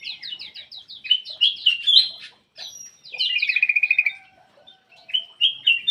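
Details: Black-crested bulbul, an aviary bird, singing lively chattering phrases of rapid high chirps and short trills, with bursts of quick repeated notes broken by brief pauses, clean with no other sounds.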